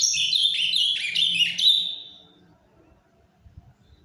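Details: Ultramarine grosbeak kept in captivity delivers a short burst of Paraná-style song, a quick tumbling warble of slurred whistles lasting about two seconds before falling silent, with soft background hum.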